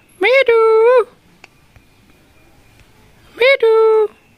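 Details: Rose-ringed parakeet kept as a pet, copying human speech. Two matching two-syllable phrases about three seconds apart, each a short rising note followed by a held, slightly wavering tone. Near silence between them.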